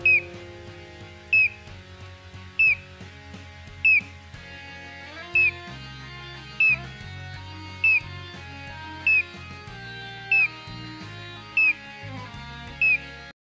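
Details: A Collared Crescentchest (Melanopareia torquata), a species endemic to the Cerrado, repeats a short, sharp, high whistled note about every 1.3 seconds, evenly paced, over steady instrumental music.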